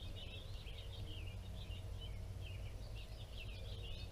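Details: American goldfinches at feeders on a sunny day, 14 April 2021, give a steady run of quick, high twittering notes with no real pause, over a constant low rumble.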